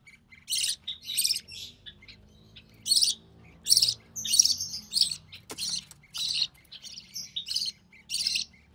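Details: Budgie chick, recessive pied, the only one of three hatchlings to grow up, calls while its mother feeds it: irregular, breathy rasping notes, some clustered, with a faint soft background hum.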